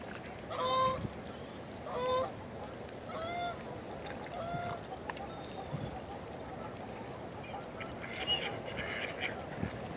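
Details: Canada geese on a Canadian winter shoreline with floating ice and incoming waves give loud, nasal honks, two strong ones near the start and fainter ones trailing off, over a steady wash of water and wind noise.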